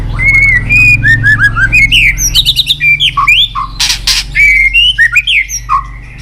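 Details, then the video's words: White-rumped shama with tach calls and tail flicks, used to spur a shama into contest singing: a loud, continuous jumble of whistles, harsh squawks and rapid chirps over a low background hum. "Chòe lửa tạch đập đuôi kích thích lửa lên lửa rất nhanh kích chim hót đấu hiệu quả"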